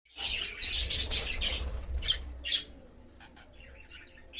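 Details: Black-winged budgerigars, a rare colour variety, chatter with rapid, scratchy chirps and warbles over a low background hum.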